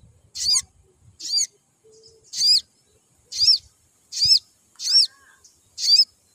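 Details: Seven high, arched chirps come in a steady run, roughly one per second, from a crimson sunbird. The chirping is used to make other sunbirds sing more, with faint low rustling in the background.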